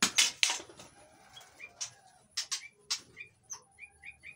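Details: White-rumped shama in breeding condition, held in an aviary in Indonesia, calling to lure other shamas: sharp clicking bursts and flutter at the start, then short slurred whistles and a quick run of clipped chirps.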